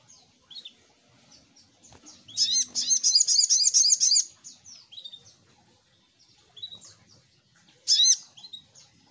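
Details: Little spiderhunter lure call: a quick run of bright, high, down-slurred chirps for nearly two seconds among softer scattered notes, with one more chirp burst near the end.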